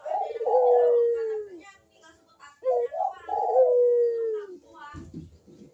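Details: Cooing Barbary dove used as a calling lure for quiet doves: two phrases, each a short clipped note, then a drawn-out, rolling coo that falls in pitch, with a low rumble at the end.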